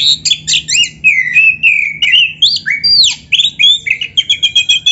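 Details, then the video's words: Black-breasted Oriental magpie-robin in full song, played to make other magpie-robins answer quickly. A fast, varied run of loud whistled phrases, rising and falling slides and sharp chirps comes in rapid bursts with a faint low hum beneath. "SUARA BURUNG KACER GACOR ISIAN JUARA ‼️ - Stel suara ini BIKIN KACER LAIN CEPAT NYAUT"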